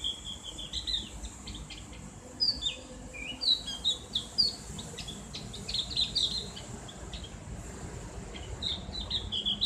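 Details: Javan grey-throated white-eye (opior jawa, cak gentong) in the ngriwik style, used as a therapy playback: bright, rapid high chirps and short twittering phrases, in bursts that grow busier toward the end, over a faint steady hiss.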